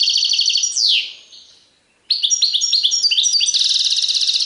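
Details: European goldfinch delivering Serfati Tiwawati style song. A dense twitter gives way to a long downward-sliding note, then a pause, then quick chirping phrases and a buzzy rapid trill.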